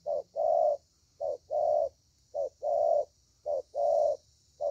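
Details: Spotted dove cooing: low, hollow notes in short-then-long pairs, each pair repeated about every second and a half, steady and evenly spaced, with a faint high hiss in the background.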